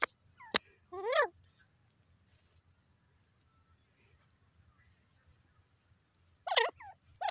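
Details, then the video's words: A francolin (teetar) gives loud, harsh bursts of quick stacked notes, one phrase near the start and another at the end, with a long quiet gap between. "teetar bird top sound titur awaz"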